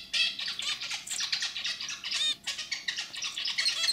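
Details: Four seconds of a male pet zebra finch singing: a continuous throaty, buzzy stream of rapid chattering notes and squeaks with hardly a pause.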